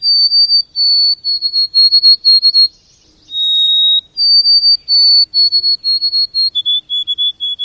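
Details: Backyard white-throated sparrow during lockdown, giving pure whistled song: a string of short, even notes sliding slightly lower, a pause, a single held lower whistle, then another series of repeated notes that steps down in pitch.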